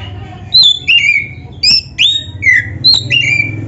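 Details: Black-breasted Oriental magpie-robin (kacer dada hitam) giving a short stretch of song played to stimulate other kacer: clear high whistles alternating with falling slurred notes, each phrase doubled, over a low humming background.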